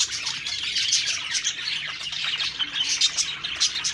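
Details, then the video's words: Budgerigars heard while feeding, described as happy; dense high-pitched chirping and warbling from many birds, with brief louder squeaky notes popping out of the chorus. "Happy Singing & Eating Parakeet Budgies Birds"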